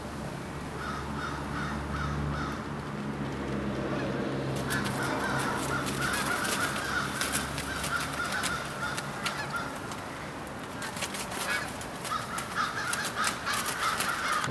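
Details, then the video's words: Evening pre-roost aggregation of American crows in Charleston, Coles County, Illinois, USA, 16 January 2015: after a low rumble, many birds break into a dense, overlapping chorus of harsh, rapid caws that continues with rising and falling intensity. "American crow pre-roosting aggregation V"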